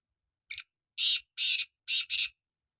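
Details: Black francolin calling: a short rasping note, then four loud, harsh, grating notes in quick succession with brief gaps, against an otherwise silent background.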